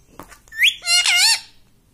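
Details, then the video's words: Pet parrot indoors giving a short sharp upward whistle followed at once by a longer, smooth, gently wavering voice-like harmonic note, with a faint knock beforehand. "mummy bolne wala tota - मम्मी बोलने वाला तोता"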